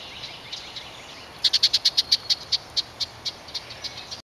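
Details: A fledging house wren, the last of a brood of five to leave the nest, gives a run of about fifteen sharp, high notes that start quick and slow over three seconds, above a steady high hiss; Roswell, GA, 16 June 2009.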